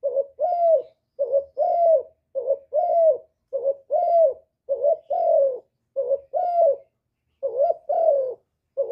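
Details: Hạp bổi voice of a spotted dove, recorded clean as part of a complete song of calling, urging and cooing. A steady series of mellow paired coos, a short note then a longer descending one, repeated roughly every second.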